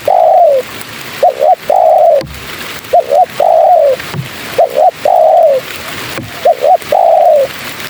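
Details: Female spotted dove calling for males, with a steady series of phrases. Each has two short hooked notes and then a drawn-out falling coo, about every one and a half seconds, over soft background hiss.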